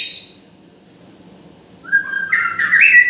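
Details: White-rumped shama song with a clear high whistle, a pause, a second short whistle, then a rich rising run of fluty and buzzy notes.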